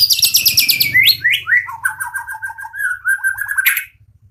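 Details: White-rumped shama song from a farm-bred bird of a champion line: a loud opening of fast high buzzy notes, then sliding whistles stepping down and a run of rapid repeated mid-pitched notes for about three seconds, low hum beneath.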